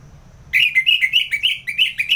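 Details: Kept Orange-headed thrush in North Bali in ngeplong song: a rapid, steady chain of bright whistled notes, each slurring up and down, repeated about five times per second.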